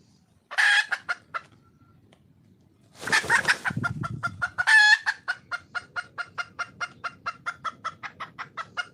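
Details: Wild red junglefowl hen calling for a male: harsh broadband bursts at the start, then a long series of short, evenly spaced clucking notes repeated about four times a second, steady and sharp.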